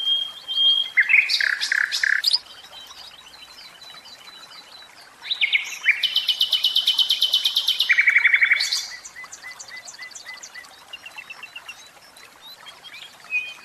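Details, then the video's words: Common nightingale kept in a cage, singing a long varied phrase: a pure whistle and loud chattering burst, a quiet pause, then a dense buzzy rattle, rapid repeated strokes and a softer trailing twitter. "Oiseaux de cage, Chant Ross.Philomele"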